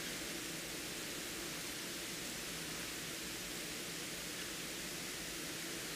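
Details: Steady broadband hiss fills the whole recording, with no animal sounds heard.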